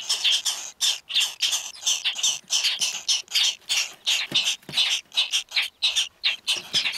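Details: Purple martin nestlings in a nest box in Walworth County, Wisconsin, on 11 July 2011, recorded during nest box monitoring, give harsh, raspy begging calls in rapid bursts, several a second, high-pitched and nearly continuous.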